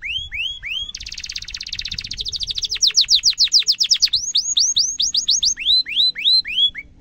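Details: Canary singing a tutor song for young birds: upswept whistles, a fast dense trill, a run of rapid falling notes, then repeated rising whistled sweeps, faint low background noise.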